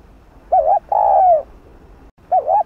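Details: Spotted dove (cu gáy), used to provoke and train decoy birds: a low wavering coo, then a long steady falling coo, then another wavering coo, clear and loud over faint low background noise.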